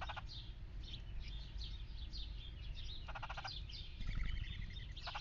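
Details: A red-headed woodpecker at a backyard feeder in Lancaster, Pennsylvania, which it has visited daily for three months, gives short, harsh, rattling calls in a few bursts over faint chirps from other birds and a steady low rumble.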